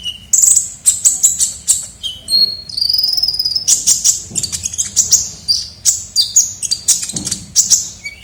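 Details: Lure sound of the ninja sunbird (kolibri ninja): dense, busy bursts of very high chirps and trills with some lower drawn-out whistles, energetic and almost continuous.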